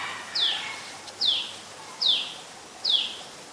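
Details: An adult Common Tailorbird (Orthotomus sutorius) in Ubon Ratchathani, Thailand, on 11 April 2022 gives four sharp, high notes that slur downward, repeated a little under once a second over a soft background hiss.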